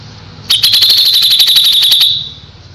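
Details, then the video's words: Kapas tembak in full song, a recording used to tutor young white-rumped shamas: a rapid, sharp burst of about fifteen high piercing notes in a second and a half, then quiet. "KAPAS TEMBAK GACOR JEDA RAPET"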